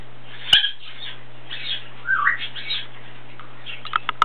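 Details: Plum-headed parakeet in a room making a sharp chirp, then soft warbling whistles that dip and rise, ending in a quick burst of short clicking notes, with a constant low hum behind.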